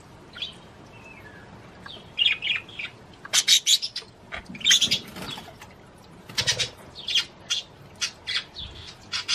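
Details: Budgerigar singing to encourage the female to mate, a run of sharp clicks and buzzy chattering notes coming in uneven bursts, with a soft wing flutter or rustle.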